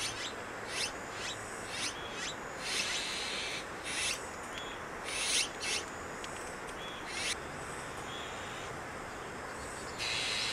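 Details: Azure-winged magpie family raising young in Maeji-ri, Wonju, South Korea: a series of scratchy, noisy rasps and short rising sweeps, irregularly spaced and sometimes clustered, with quieter gaps and a low hum beneath.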